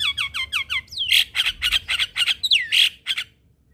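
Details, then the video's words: Quick repeated downslurred whistles give way to loud raspy squawks and curling whistles in this Javan myna morning lure for training a silent bird. "Burung Jalak Macet Bunyi Wajib Rutin Kasi pancingan Suara Jalak Kebo Tiap Pagi"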